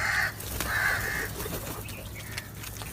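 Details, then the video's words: Two hoarse crow caws close together at the start, the second slightly longer, followed by quieter outdoor background noise. "Crow Sounds"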